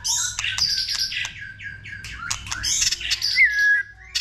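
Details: White-rumped shama in varied song meant to stimulate other shamas: rapid mix of sharp clicks, scratchy notes and short whistles, ending with a bright upward-then-downward whistled slur.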